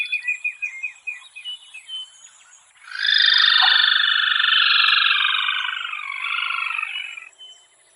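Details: A northern Venezuelan endemic crake with unbarred rufous plumage: faint stuttering notes open, then a loud, dense buzzing trill sets in and sags slightly in pitch over four seconds before stopping abruptly.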